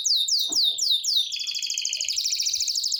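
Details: Morning song of a Belgian canary: a series of clear whistled notes sweeping downward, repeated about four times, then a fast, even, buzzy trill held at a high pitch.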